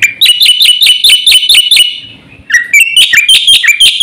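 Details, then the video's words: Black-winged starling song delivered fast: a steady run of about ten ringing, metallic double notes, a short lull, then a burst of mixed whistles and chatter. "suara burung jalak putih GACOR FULL ISIAN paling cepat"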